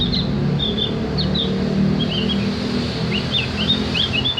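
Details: Javan grey-throated white-eye, or cak gentong, recorded as a tutor for training birds to sing: a steady stream of short, high, rising and falling chirped notes that comes in loose bursts over a background hum.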